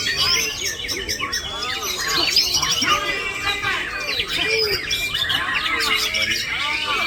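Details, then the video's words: Male white-rumped shama delivering a mimicked lorikeet fill, harsh squawky notes mixed with quick arched whistles and high chirps in fast succession, with people talking and other birds in the background. "Menembak isian Perkici"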